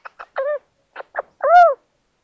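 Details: Little owls at an attic nest in Tiszalök, Hungary, near Hortobágy National Park, in May after owlets hatched, four owlets together; short rasping notes followed by two longer, clear, arched mewing calls, then silence.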